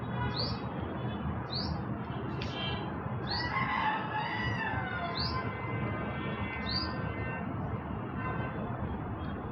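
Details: A black hummingbird giving its mating call: thin, high, rising chirps about every second or two, with a brief lower squawky chatter midway, over steady low rumbling background noise.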